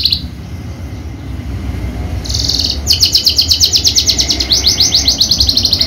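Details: Javan Horsfield's bushlark, a prize-winning songbird kept for bird singing contests. A brief high burst is followed by a quiet pause, then a rapid series of bright, evenly repeated high chirps rolls on to the end. Low rumble sits underneath.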